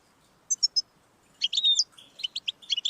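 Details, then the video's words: Goldfinch song meant to encourage a caged pet goldfinch to sing, opening with three thin high notes, then a quick liquid twittering run of varied chirps and trills. "Audiorecordings of the goldfinch to stimulate birdsongs"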